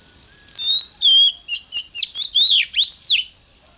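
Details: In the morning an oriental magpie-robin delivers its fiery 'căng lửa' song: two long clear whistles, a rapid string of short chipped notes, then swooping slurred phrases rising and falling, over a steady high tone.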